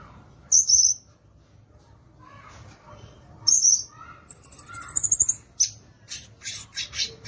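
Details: Violaceous euphonia (gaturamo verdadeiro, or guriatã) singing: high whistled notes, then a fast buzzy trill and a run of sharp, rapidly repeated chips.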